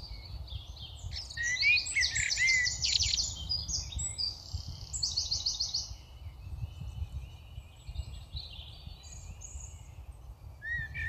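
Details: Adult house sparrows feeding hungry young in a UK garden in spring give busy, overlapping chirps and cheeps, densest in the first half, over a steady low rumble of background noise.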